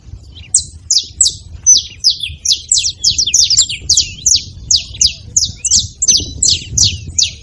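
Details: Wild saffron finches at a feeding spot, a flock making noise: dense run of short, bright, sharply descending chirps, about three per second, overlapping from several birds, with a low rumble of background noise underneath.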